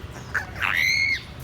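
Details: A male pet grey parrot, prompted by its owner repeating "hello baby", says a two-syllable "hello": a brief raspy onset, then a clear, slightly falling whistled vowel lasting about half a second.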